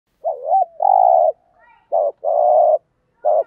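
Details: Decoy spotted dove heard in a compilation of thúc gù and gáy gọi cooing styles; a short wavering double coo runs into a long, steady, low coo, repeated twice, then another brief coo begins.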